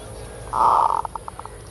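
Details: One full kerot phrase from a zebra dove lure recording, a loud half-second rolling coo breaking into a scattered string of short, sharp pulses, with low background hiss.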